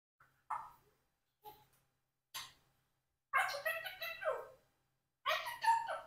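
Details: A four-year-old pet Congo African grey parrot, adopted and kept in a home flock, talking while trying to say "cockroach" without the R: short speech-like syllables, then two longer wordy phrases, with a faint low hum behind.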